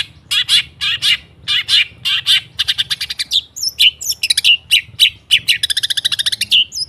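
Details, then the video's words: Long-tailed shrike song for training a mute kept bird to sing: a steady run of loud, scratchy chattering notes, then faster stuttered trills mixed with clear whistled pips and a high buzzy rattle. "Suara TERAPI pancingan cendet /pentet macet total , di jamin buka paruh , Masteran cendet."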